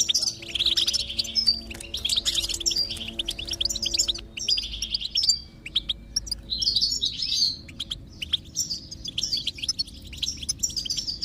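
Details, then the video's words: Twittering goldfinch song meant to prompt a quiet bird to start singing: fast chirps and trills in repeated phrases about every two seconds, with a faint steady hum beneath. "is Your Goldfinch Silent? Give it this stimulation and see the difference"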